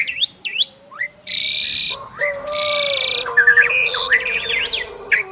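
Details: Two Asian pied starlings singing a duet: sharp upswept whistles and hooked notes alternate with loud harsh buzzy bursts, while a steady low whistled tone runs underneath for much of the clip.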